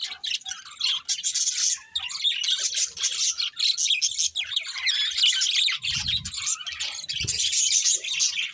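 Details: Budgerigar chirping forms an unbroken, bright wall of high warbling, twittering and squeaky notes, with a couple of low bumps near the end.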